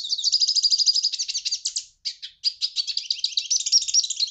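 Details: Hooded siskin song, a rapid high-pitched twitter of buzzy trills and chirps delivered in quick bursts, broken by a brief pause near the middle before resuming.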